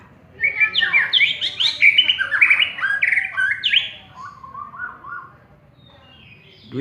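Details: A prize-winning contest white-rumped shama sings a rich, fast run of varied whistled and slurred phrases. The song falls to a softer, lower warbling run before trailing off, with a faint low background rumble.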